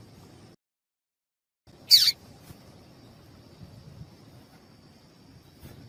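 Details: A lone high, sharp chirp from a female papa-capim seedeater, a call meant to excite males; preceded by a brief dead-silent gap and followed by faint hiss.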